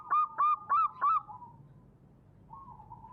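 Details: Zebra dove, a local wild bird, singing in a recording used as a lure for trapping: four loud, evenly spaced, ringing coo notes about a quarter second apart. Softer drawn-out trailing coos follow, then faint low background noise.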